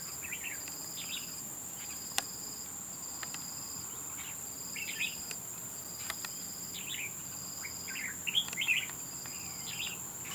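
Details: Red-whiskered bulbul fighting at a bird trap. Brief bubbling phrases of two or three quick notes are repeated every second or two. A constant shrill insect drone and a regularly broken high tone continue behind.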